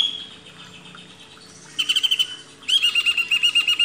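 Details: Caged greater green leafbird in a training recording, giving two fast bursts of repeated whistled notes over a quiet background.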